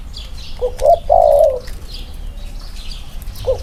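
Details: Spotted dove coo from one of a pair of birds compared side by side: two brief clipped notes lead into a long hoarse coo. After a pause a new phrase begins, while distant high chirps of other birds continue.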